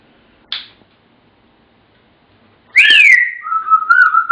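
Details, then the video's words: African grey kept as a pet, whistling Pop Goes the Weasel indoors. A short sharp note comes first, then after a gap a loud swooping whistle that drops into a steady, slightly wavering tone. "The African Grey - Pop Goes The Weasel"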